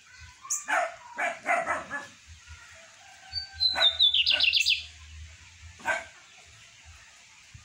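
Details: Lined seedeater in a strong, deep song: a high whistle drops into a quick descending buzzy trill lasting about a second, after dry clicks and knocks in the background.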